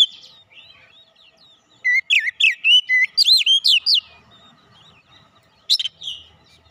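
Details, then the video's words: Oriental magpie-robin of fighter character, a young bird, singing a fast series of looping, rising whistled notes about four per second, then a short sharp burst after a pause. "Kacer bahan cepat keluar karakter fighter"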